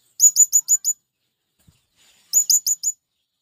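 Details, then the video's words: Male blue-crowned hanging parrot calling to companions, used to lure wild birds: two quick bursts of five very high, thin, sharp chirps, separated by about a second and a half of silence. "Burung Serindit Jantan Memanggil Kawan||ampuh memanggil serindit liar"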